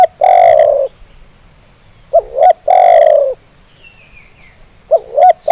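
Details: Spotted dove used as a lure recording to make lazy doves start calling: loud, mellow hooting coos, a short rising double note followed by a long, slightly falling drawn-out coo, repeated twice, with a faint high whistle between them.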